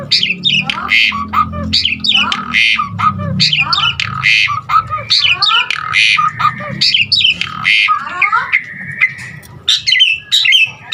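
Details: A dense, jumbled stream of squawks, rasps and whistled slurs from an Asian pied starling, whose varied song is meant to spur other starlings to sing, with a low hum underneath.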